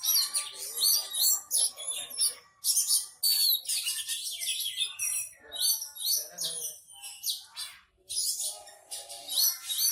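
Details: Oriental magpie-robin, a kept bird on a training stand, singing calmly and unloading its learned repertoire of imitated phrases; dense, rapid run of high chirps, whistles and buzzy trills with brief pauses, varied notes tumbling one after another.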